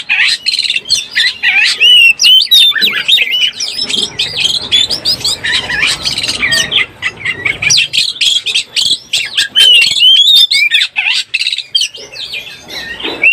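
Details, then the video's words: Oriental magpie-robin in breeding condition, played as a lure: long stretch of rapid high chattering and whistled flourishes, loud bursts separated by a quieter passage in the middle. "SUARA BURUNG KACER BIRAHI_SUARA PIKAT BURUNG KACER"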